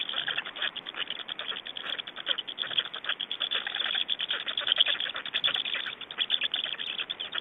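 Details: Black storks in Estonia at the nest on 24 May 2012, evening, during a change-over and feeding: dense rapid rasping pulses, continuous and uneven, rising and falling in loudness throughout.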